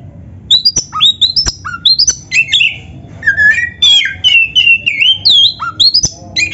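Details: Kacer, the oriental magpie-robin, in energetic gacor song used as training material: bright rising and falling whistles, abrupt clicks and scratchy phrases strung together quickly, some notes dropping low before sweeping upward.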